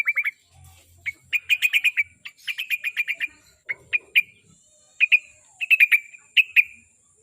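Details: Sooty-headed bulbul singing, played to prompt a pet bird to sing regularly: quick runs of clear, chirpy notes in short bursts, some with brief buzzy tails, separated by gaps of about half a second.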